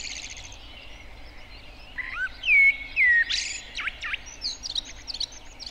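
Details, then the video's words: Common blackbird in spring in Finland sings its flute-like song, also heard late in the evenings. A short phrase of mellow, fluty whistles slurs downward, then breaks into a thin, high twittering flourish over light wind hiss. "Mustarastas on helppo tunnistaa myös kauniista huilumaisesta lauluäänestään jota voi kuulla myös myöhään iltaisin. (linnun laulua)"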